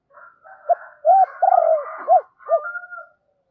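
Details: Spotted dove decoy giving its double-voiced luring call: a run of low rounded coos, one long and wavering, overlaid by a softer, higher, hoarse cooing from a second voice.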